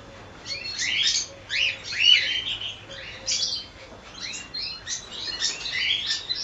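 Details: Colony of cockatiels chattering: repeated upward-sweeping whistles and scratchy chirps from several birds, loud bursts separated by short lulls, with a faint low steady hum underneath.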